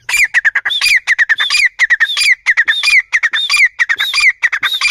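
Grey francolin chicks give a rapid, continuous stream of high, thin peeping notes, several per second, some rising and some falling, with no other sounds.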